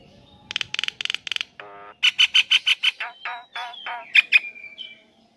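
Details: ['Calls of a male Nias hill myna aimed at a female, starting with rapid buzzy pulsed notes, then a run of loud bright repeated whistles, ending in clear piercing whistled notes.']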